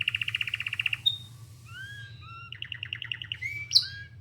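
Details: Pet canary singing indoors while calling for other canaries: a fast trill of rapid repeated notes, then thin rising and falling whistled slurs, another buzzy trill, and a sharp high note near the end.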